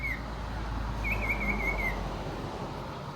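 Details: Common iora giving one long, high, slightly wavering whistle that holds steady for about a second, over a steady low rumble of background noise.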